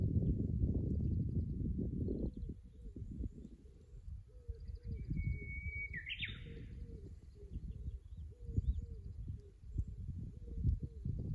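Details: Japanese bush warbler singing beside the Kusu tank road in Japan on 24 April 2025, recorded from a fixed camera: one long steady whistle followed by a quick rising, warbled flourish, over heavy low rumbling and a faint repeated low pulse.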